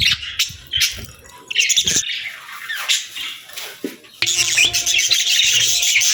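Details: Pet budgies chirp and chatter as they eat their favourite food: busy high warbling, sharp clicks and wing flutter, growing denser and louder after four seconds.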